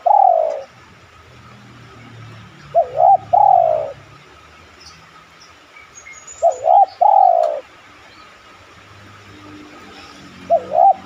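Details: Repeated spotted dove cooing played as a lure so other doves respond: three phrases, each two quick hooted notes then a longer falling coo, spaced about four seconds apart, with faint background rumble.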